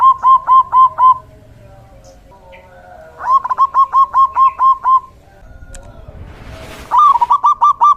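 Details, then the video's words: Male zebra dove, local type, singing vigorously to attract and provoke other doves, three long runs of evenly spaced rolling coos, about eight notes each, with a brief noisy rustle between the last two. "Suara perkutut lokal jantan GACOR"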